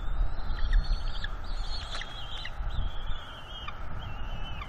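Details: Juvenile bald eagle on a northeast Florida nest, April 19, 2021, mantling and guarding fish from its parents. It gives thin high whistled squeals in short, uneven bursts over steady low wind rumble.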